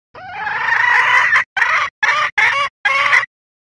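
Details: Female red junglefowl calling to attract the male, a call said to make males come and crow; used as a lure for trapping or hunting. A long harsh harmonic squawk followed by four shorter clipped bursts, then silence.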